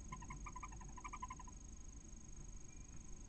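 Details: At a nest in Spain's Cabañeros National Park, a female barn owl calls to her newly hatching chick, the first of six eggs. Quick chattering series of bright chirps for about a second and a half, then only faint rustling.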